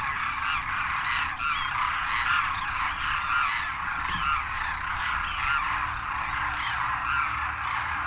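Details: A huge flock of Demoiselle Cranes, adults with first-year juveniles wintering at Khichan Village, Rajasthan, after crossing the Himalaya, gives a dense, steady chorus of overlapping rolling, honking calls as they take off, with a few clearer higher notes rising above.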